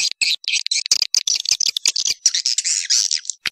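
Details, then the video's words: Swiftlet calls intended to draw swiftlets into houses and keep them roosting: a continuous, shrill, scratchy chatter of overlapping high notes with a few short pauses. "Suara walet super max"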